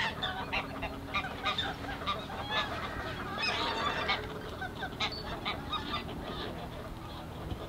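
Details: Greater white-fronted geese in the Ahsewiesen reserve on a February 2019 afternoon: a busy, overlapping chatter of high yelping honks from many birds against a noisy, rumbling background.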